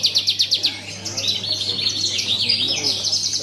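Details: Contest-singing Javan bush lark opens with five sharp repeated chips, then slides into a continuous warbling, wavering high trill. Faint murmur of people and steady low hum underneath.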